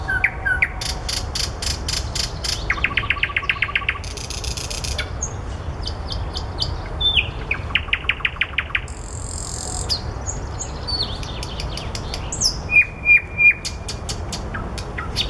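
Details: Long stretch of common nightingale song from among flowers, alternating rapid clicking rattles, buzzy bursts, pure sustained whistles and a final set of repeated piping notes, over low continuous background sound.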